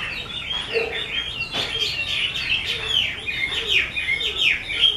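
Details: Chinese hwamei, 'mơ' type, kept by an artisan and noted for fine singing, producing a dense rapid medley of looping whistles and sharp downslurred notes, with soft lower chuckles underneath.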